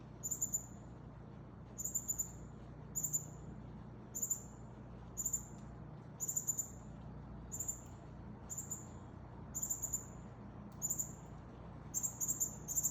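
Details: Northern cardinal, a male feeding a fledgling, with high-pitched, thin call bursts repeated roughly once a second in an even rhythm, each a short double or triple note, steady low hum underneath.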